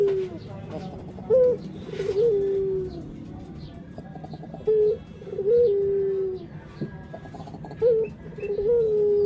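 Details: Puter, the Barbary dove, giving a series of short soft coos, each a brief upward flick followed by a level drawn note, repeated about every three seconds over a faint background murmur.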